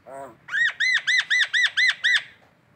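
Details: Morning call of a collared kingfisher in Indonesia: a brief low squawk, then seven loud, harsh, arched notes given rapidly and evenly, about four per second, with a quiet background.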